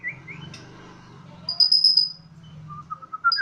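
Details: Home-kept Bornean White-rumped shama singing with spirit on a terrace. Brief whistles give way to a bright high trill and a row of short clear notes, with a low steady hum underneath.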